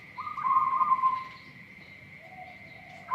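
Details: Local zebra dove with an unusual voice: one quick burst of soft, rapidly pulsed coos lasting about a second, trailing into a fainter lower note, over a steady high whine and low background rumble.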